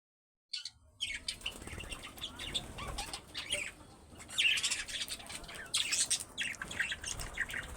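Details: Pet budgies eating, chattering with quick, high chirps and warbles, mixed with soft rustling and wing flutters.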